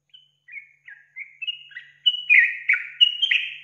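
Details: Sooty-headed bulbul song played as a lure to make other bulbuls react. Soft scattered whistles gather into a faster, louder chain of bubbly, liquid notes near the end.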